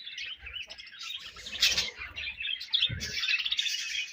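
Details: Budgerigars in a colony chirping loudly, busy high twitter and squeaky warbles overlapping, with a sharp knock just before three seconds.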